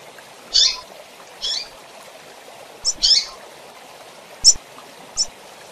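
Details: A female double-collared seedeater calls to excite males, giving brief high chip notes, roughly six in under six seconds, a few doubled, against a constant faint background hiss.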